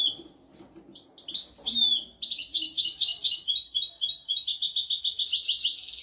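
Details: Goldfinch song used to teach goldfinches and canaries: a few clipped rising whistles open, then a sustained, fast, liquid twittering trill runs unbroken for four seconds.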